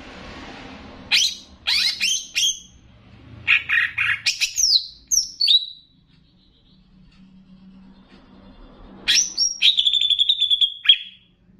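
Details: Greater green leafbird from Banyuwangi, sung as a training song to excite other cucak ijo, with bebeci-style variation: bursts of sharp, varied, descending whistled notes, a quiet pause, then a long buzzy trilled phrase.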